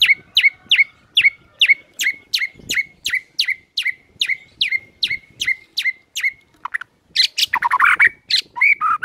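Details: White-rumped shama morning lure: a long run of sharp, repeated downslurred notes, roughly three per second, then a burst of rich, loud, varied whistles and buzzy phrases.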